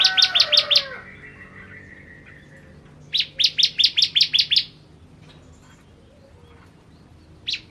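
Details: Ciblek, the bar-winged prinia, of the 'kristal' variety, singing loudly: two rapid series of piercing, clipped chips, each about six to eight notes, separated by a pause with faint twittering, and a third series starting at the end.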